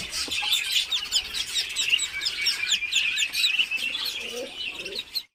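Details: Muscovy ducklings newly hatched in an incubator after 28 days keep up a busy chorus of high, thin, continuously overlapping peeps, with faint low rustling beneath.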